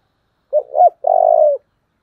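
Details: Spotted dove kept as a decoy bird, singing in the intense 'giọng thổ' voice style: a short, wavering introductory note, then a loud, steady, drawn-out coo, all low and mellow, in clean quiet surroundings.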